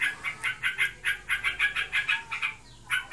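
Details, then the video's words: A kept Yellow-vented Bulbul (trocokan) in breeding condition gives a short run of quick harsh chips, pausing briefly before resuming. "Burungku birahi. Ngebren abiss."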